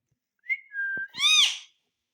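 A rose-ringed parakeet gives a short rising whistle, a level whistled note, then a harsh, buzzy, speech-like phrase that bends up and falls away.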